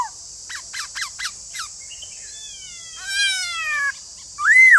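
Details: White-cheeked laughingthrush singing a quick run of sharp chirps, then long, thin descending whistles and a final loud arched whistle rising and falling, with constant high hiss behind.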